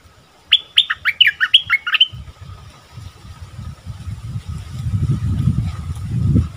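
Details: Caged bulbul, recorded 24 February 2021, singing a 'double' song style: a quick run of bright whistled notes, each sliding steeply downward, lasting about one and a half seconds. Low rumbling background noise continues after the phrase ends.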